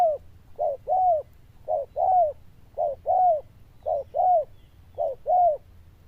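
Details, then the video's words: Loud-voiced zebra dove cooing in neat pairs, a clipped note then an arching longer coo, repeated very evenly about once a second over a quiet background. "Đồng Chuông Lớn Tiếng, Nước Gù khá Tốt"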